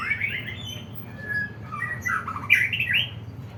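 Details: Caged white-rumped shama delivering harsh, squawky rising notes mixed with whistled slurs, louder toward the end, over a low hum.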